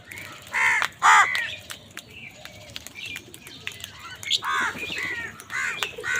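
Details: Angry crow competing with wild birds over food, giving a series of loud, hoarse caws, two close together at the start and three more near the end, amid scattered high chirps and wingbeats.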